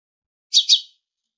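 A tit gives two quick, bright, high notes in a rapid pair, sharp and slightly buzzy, against a silent background.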